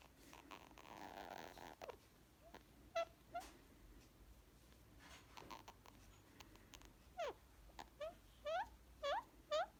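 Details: Green Indian ringneck parakeet kept as a talking pet, male, getting cuddles and nipping; rustling and scratching at first, then a series of short rising chirps roughly every half second toward the end.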